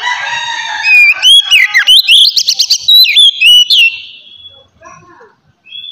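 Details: Oriental magpie-robin song in the loud, clear 'ngeplong' style, used to stimulate other magpie-robins to sing: a run of loud, pure whistled notes rising and falling, sliding and looping, then fading to a few soft notes.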